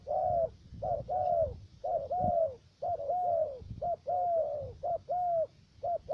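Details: Spotted dove kept as a decoy for trapping in Khánh Hòa commune, U Minh, Cà Mau province, Vietnam: a steady run of soft, hollow coos, short and long notes alternating roughly each second, with low background rumble.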